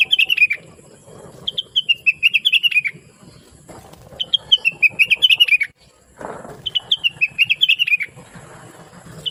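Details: Chatty, melodious blue-winged leafbird, kept as a tutor for other cage birds. It sings repeated phrases of rapid, sweet, tumbling chirps that drift downward, each lasting about a second, separated by brief gaps and faint rustling.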